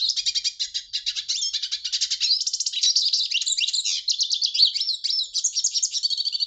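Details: Clean recording of a hooded siskin in steady song, with pulsed rattling trills giving way to tangled twittering phrases and buzzy notes and no background noise.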